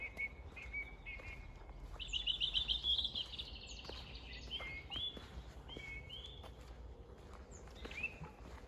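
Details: Wild birds singing at Bornitsky quarry on 1 June 2021. Several overlapping voices: a rapid trilled phrase around two to three seconds, then scattered short upslurred whistles and chirps over a steady background hiss.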